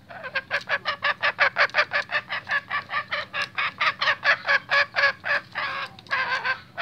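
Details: A restless, agitated male junglefowl gives a fast, even run of harsh, nasal clucking notes, about three or four a second, sustained for several seconds without a break.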